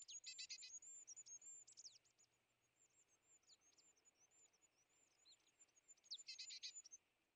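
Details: European greenfinch, at winter feeders where it aggressively chases off tits, sparrows and nuthatches, gives a steady run of thin, very high chirps, broken by harsher buzzy twittering bursts near the start and again near the end.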